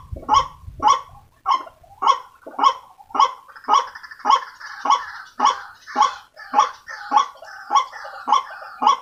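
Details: Lure recording of a white-breasted waterhen: rhythmic rasping kwak notes repeated about twice a second, with a second overlapping voice joining partway through to form a dense, continuous croaking chorus.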